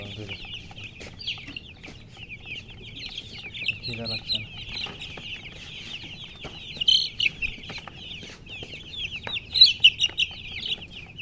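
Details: Baby chicks in a busy chorus of sharp, high chirps, with bursts of louder individual peeps toward the end and brief rustling amid the steady chatter.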